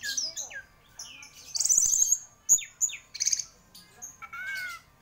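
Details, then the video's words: Orange-headed thrush, a prolific champion songbird, delivering a varied high-pitched song of quick whistled slurs, rising and falling sweeps and a dense trilled burst near the middle, with short pauses between phrases. "Burung Anis Merah Gacor Juara"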